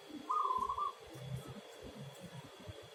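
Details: A local zebra dove sings one quick, stuttering trilled coo at a steady mid pitch, followed by low thumping background noise.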